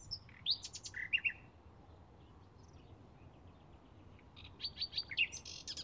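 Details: Bluethroat in May 2016 gives two bursts of varied song, quick high sharp notes and short buzzy trills, with a quiet pause between them.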